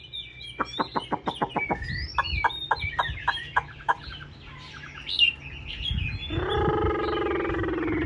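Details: A kept Chinese hwamei produces a string of sharp clicks, then scattered whistled slurs. A harsher, buzzy harmonic sound follows near the end.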